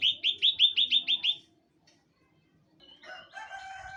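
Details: Common iora (cipoh) giving a fast run of eight bright, upward-hooked whistled notes at about three per second, then a pause and a burst of mixed chattering notes with steady tones.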